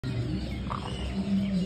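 A great blue heron gives a deep, harsh, guttural croak that drags on for over a second, over a steady low background rumble.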